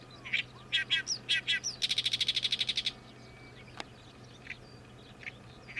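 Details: Oriental reed warbler, a summer migrant newly arrived for the season, noisily sings loud, harsh grating "gyo-gyo-shi" notes, then a fast run of about a dozen chattering notes, trailing into scattered softer calls over a faint low hum.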